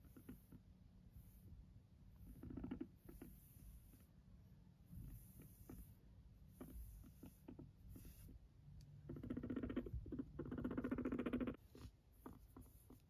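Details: Silkie guinea pig kept as a pet in a homemade cage, mostly quiet with light rustling and ticks, then a faint brief purr followed later by two stronger bursts of rapid, low, pulsing rumble.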